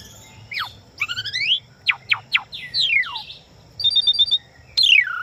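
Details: Captive-training recording of Asian pied starling song: steep downward whistles, stacked rising slurs, sharp clicks, a descending trill, a quick series of five or six bright piping notes, then a loud falling whistle.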